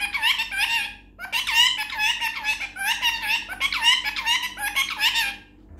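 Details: An Indian ringneck parrot talking indoors, saying "Mithu Bety", chatters in bursts of high, harmonic, voice-like syllables in rapid phrases with brief pauses.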